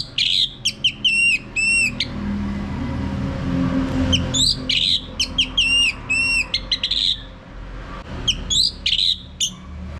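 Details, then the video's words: Male Orange-headed Thrush song for prompting birds to sing, dense series of ringing whistled notes with sharp high clicks, delivered in three bouts of rapid repeated phrases over low background hum. "Mainkan Video Pancingan Ini Agar ANIS MERAH Mau Berbunyi Ngeplong Kalau jantan ya."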